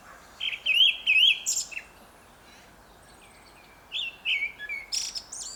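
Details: Grey-backed thrush in Korea sings two clear, fluty warbled phrases about three seconds apart, each ending in thin, high twittering notes, over a faint background hiss.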